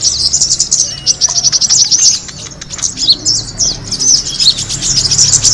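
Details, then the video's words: Kemade bird sound for attracting birds, with shrill rapid trills in bursts of about a second separated by short gaps, plus scattered clicks and a low background hum. "the sound of the kemade bird attracting noise"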